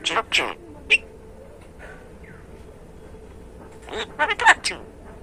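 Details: A pet Common Myna, raised after being rescued as a storm-blown nestling, practises learned Bengali words from its usual perch after eating: harsh, speech-like bursts at the start and end, with a sharp whistle and a faint slurred note in the quieter middle.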